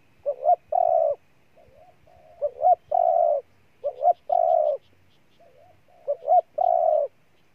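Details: Ninh Thuận, Vietnam spotted dove repeating its coo phrase four times: a faint soft note, a quick double note, then a long steady coo, the rhythm unhurried and even.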